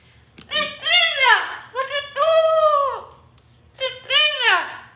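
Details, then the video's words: Female Amazon parrot kept as a pet cries indoors from jealousy when another parrot gets touched: three drawn-out, nasal, downward-bending wails with rich overtones. A woman talks to the bird between them. "Loro llorando porque esta celoso"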